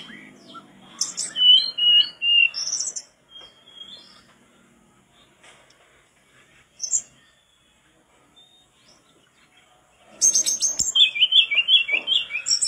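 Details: Mangrove blue flycatcher in vigorous song, used as tutor material: quick whistled phrases with high slurred notes, a long pause with only a lone note, then a rapid, dense burst of trilled whistles.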